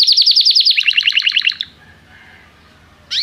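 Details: Canary singing as part of song training, calling a companion to sing; about one and a half seconds of rapid rolling trill stepping lower, then near silence and a short rising note at the end.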